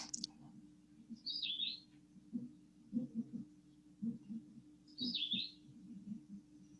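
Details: Philadelphia Vireo singing, in Alabama/northwest Florida: two short, slurred, high whistled phrases about four seconds apart, a little higher and thinner than Red-eyed Vireo, over low hum and soft rumbling.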